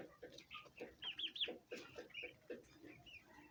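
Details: Turkey chicks peeping: a close series of sharp, high chirps, roughly several per second, some with a lower soft murmur between them.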